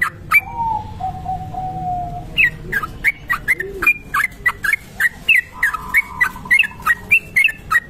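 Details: Long ropel song of a trucuk kebo bulbul, used as a lure and tutor recording: after a quiet start with a drawn lower whistle, bright chirping notes repeat quickly and evenly, roughly three each second, over low hum.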